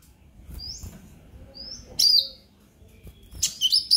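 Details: Sparse high notes from a purple-throated sunbird, a brown-breasted young konin singing ngobra emosi to stimulate other birds: two thin rising whistles, then short loud bursts of high, scratchy twitters over faint low background noise.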